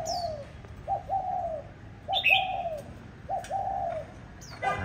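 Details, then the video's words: Caged spotted dove formerly used as a decoy bird, in Hanoi, Vietnam: soft, low cooing phrases, each a short note followed by a longer falling coo, repeated three times, with brief high chirps from another bird. "Cu gáy mồi"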